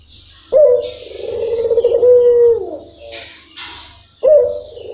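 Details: Local Barbary dove singing in a long rhythm: a loud, low, drawn-out coo that starts sharply, holds steady for nearly three seconds and fades, then a second coo begins, with faint hiss in the background.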